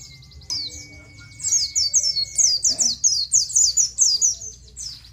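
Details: Oriental white-eye in nGalas style, played to train captive birds: after a sudden click and a steady thin tone, a rhythmic run of high, bright, downward-sweeping chirps repeats about twice a second.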